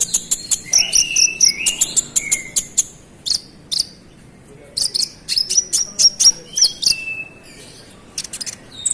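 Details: Energetic konin song, rolling and insistent, aimed at making other konin agitated: rapid high clicking chirps mixed with thin descending whistles and short trills, pouring out almost continuously with a few short gaps.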